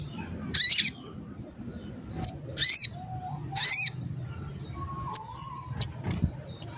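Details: Crimson sunbird, a tutor bird for other songbirds, gives three loud arched squeaky notes over several seconds, then a run of short thin high tics. A soft whistle and low murmur sit underneath.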